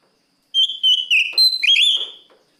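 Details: Oriental magpie-robin singing to call a rival: a clear, loud whistled phrase of several connected notes, with level stretches, a rise, and a final twisting upward flourish over about two seconds, no other sounds.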